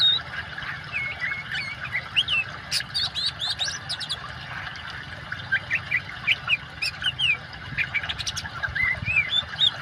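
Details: Oriental magpie-robin in lively song mixed with running water, for therapy of birds that have stopped singing. Quick runs of short whistled and chirped notes, some rising and slurred, come in bursts over a steady hiss of water.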